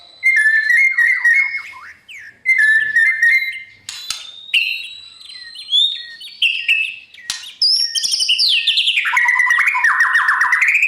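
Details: Singing white-rumped shama at dawn, serving as a voice-training model for wild-caught contest birds: repeated trilled whistle phrases, then long pure whistles and an energetic, loud tumbling finale of rich varied notes.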